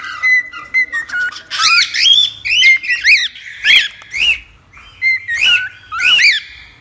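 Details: Cockatiel song played to tame a cockatiel: bright whistled notes, rising and falling slurs in quick bursts about twice a second, some harsher squawky syllables mixed in, constant low hum behind.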